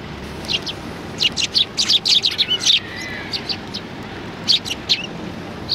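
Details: At Tenmangu shrine on 16 January 2020, sparrows arriving for food give a quick run of high chirps in the middle, with a few more calls near the end.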